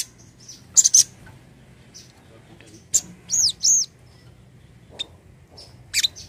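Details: Crimson sunbird (sogon) lure call: scattered sharp high chirps, then a pair of loud, arching, slurred whistles near the middle, followed by more isolated chirps over a soft steady hum.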